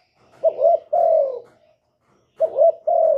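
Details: Male spotted dove calling to urge a female to lay: two low, mellow cooing phrases, each a short rising note and then a longer falling coo, separated by a brief pause. The background is quiet.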